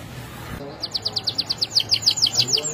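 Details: Canary singing for use in training other canaries. A short burst of noise gives way to a steady series of sharp, high downslurred notes, about five per second, slightly accelerating.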